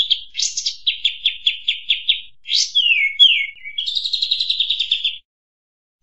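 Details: Kampas tembak bird song for tutoring and luring: about ten quick chopped notes, a sweeping downward slurred whistle, then a fast buzzy trill that stops abruptly.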